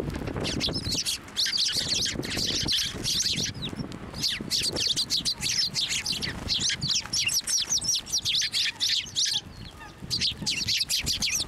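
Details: Sparrows swarm over a feeding hand at Tenmangu shrine on 18 March 2024. Bursts of bright, overlapping chirps come in waves with brief lulls, and soft low rumble and wing noise appear between them.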